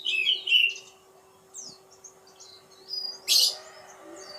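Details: Oriental magpie-robin giving short whistled phrases and thin, rising notes, then a brief harsh, scratchy burst, over a faint steady hum.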